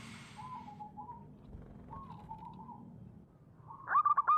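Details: Local wild zebra dove song, used as a lure for trapping: soft, slightly wavering coos near the same pitch at about one and two seconds, then a louder burst of short, clipped cooing notes at the end over low background rumble.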